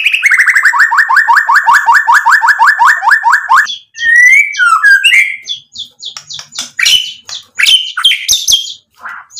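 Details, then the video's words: White-rumped shama song used to provoke other shamas into replying: a fast run of about twenty identical descending whistled notes, then varied chattering, slurred whistles and rapid mixed phrases. "MURAI BATU GACOR memancing EMOSI bikin NYAUT ikut BUNYI BONGKAR MATERI ISIAN | PANCINGAN MURAI"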